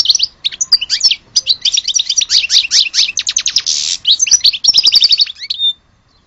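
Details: European goldfinch from Algeria singing a fast, dense twittering song of high buzzy trills, chirps and tinkling notes, with a brief grating burst near the end.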